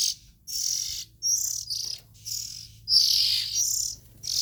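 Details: Oriental magpie-robin nestlings calling: harsh, hissing high-pitched rasps, each about half a second long, repeated with short gaps; no other clear sounds.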